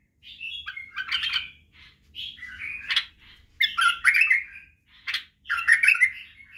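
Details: White-eared bulbul singing as a model for young bulbuls: separate warbled phrases of rich, liquid notes, each lasting about a second, spaced by brief silences.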